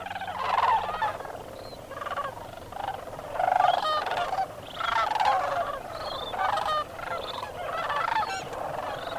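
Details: Thousands of wintering sandhill cranes at Bosque del Apache National Wildlife Refuge, calling as they wake and fly out at dawn from a frozen pond roost; dense chorus of rolling, rattling bugles with repeated louder peaks.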